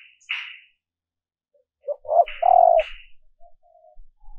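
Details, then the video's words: Female dove call for luring males: a few stuttering coos building into one long, steady, low coo, mixed with brief harsh rustling or flapping bursts before and after. "Tiếng Chim Cu Mái mp3 kích Trống Mới Nhất"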